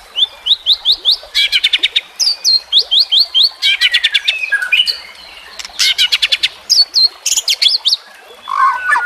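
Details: Murai batu, the white-rumped shama, singing on a training track meant to coax reluctant birds to sing: dense, varied song of upslurred whistles, clipped buzzy bursts and rapid chatter, nearly continuous with brief gaps.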